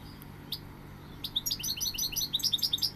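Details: Goldfinch song: after a few scattered chirps, a rapid, rising stream of sweet, tinkling twittered notes carries to the end, over a low steady background hum.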